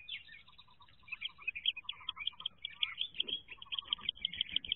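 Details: Wood duck ducklings inside a nest box on their 2023 jump day, a brood peeping in dense high, thin, rapid chirps, over a steady run of lower short pulsed notes, with faint rustling below.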